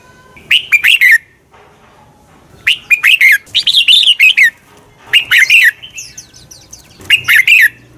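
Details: Red-whiskered bulbul belting its morning duel song for training birds: repeated phrases of loud slurred whistles, one longer run in the middle, with fainter high chirps from other birds between phrases.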